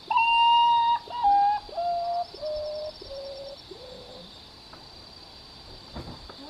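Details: Common potoo from an urban setting, a descending series of mournful whistled notes, each lower and shorter than the one before, fading from loud to soft over about four seconds; faint clicks near the end.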